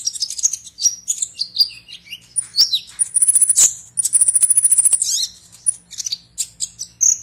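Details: Konin (Purple-throated sunbird) competing in an online song contest, Serang, Banten, Indonesia, delivers a busy series of high chips and whistles, breaking into fast, even, high trills of many beats each.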